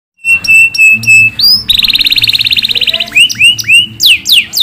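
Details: A canary sings a bright, varied song used to train other canaries: clipped high notes, a fast buzzy trill about a second long, then quick upward-sweeping whistles, over a faint low hum.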